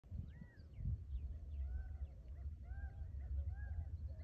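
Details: In the early morning in the desert, Gambel's quail give faint, repeated arched calls that rise and fall, about one every second, over softer, lower dove coos and a steady low rumble.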